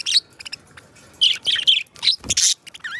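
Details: Pet budgerigars singing and talking: scattered short bright chirps and squeaky notes in bursts, separated by quiet gaps, with a soft knock and a brief wavering whistle at the end.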